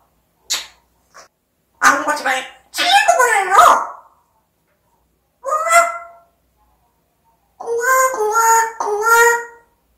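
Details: Speech mimicry from an African grey parrot: short clicks, then a run of wavering, voice-like syllables, a single short word, and a final harmonic, chanted phrase.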